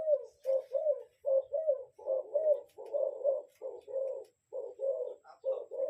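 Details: Spotted dove giving a lure cooing call, in a recording meant for decoy birds: low, soft hooting coos in short paired and tripled bursts, about one phrase each second, with faint clicks in a quiet room.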